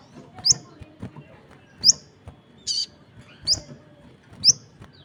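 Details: Crested jay (sogon) calling steadily, other birds answering: four sharp, high chirps evenly spaced about a second apart, with one short harsh buzzy burst in between, and a quiet low rumble underneath.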